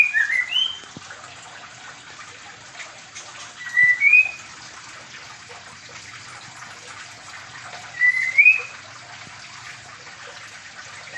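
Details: Caged white-rumped shama, Medan variety, in a mini aviary during pairing, giving three short rising whistled phrases about four seconds apart against a constant hissing, water-like background.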